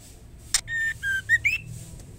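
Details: Calling female white-rumped shama summoning the male: one loud click, then three short whistles stepping lower and higher, ending in an upward-sliding whistle.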